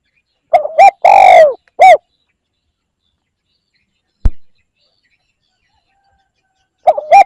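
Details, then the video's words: Spotted dove lure call: one phrase of two quick coos, a long drawn coo and a short final coo, followed by a long silence with a single click, then the next phrase begins. "CU gáy gọi kích bổi nhanh nổi Hiệu quả / Tiếng chim cu gáy kích bổi"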